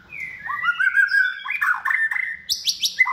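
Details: White-rumped shama kept in a cage, raised by hand from a chick and trained for contest singing, pours out a fluid warbling phrase of slurred whistles that jumps to high, scratchy notes at the end.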